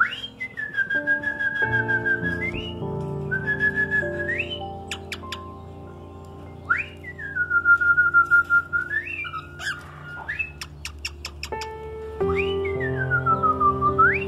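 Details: A cockatiel sings its own original song: clear, drawn-out whistled phrases rising sharply at the ends, over steady background music.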